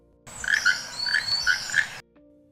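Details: Keel-billed toucan, a Central American canopy bird known for frog-like croaks, gives about five dry, frog-like croaks in quick succession, each a short grating note roughly a third of a second apart, over faint background hiss.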